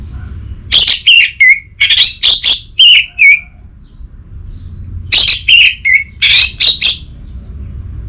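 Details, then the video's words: Orange-headed thrush singing a lure phrase meant to stir a stalled bird into full song: two clusters of bright, sharp whistled notes with falling tails, separated by a silent gap of about two seconds. "Burung ANIS MERAH Macetan Terpancing Gacor Didengarkan Kicauan Ini"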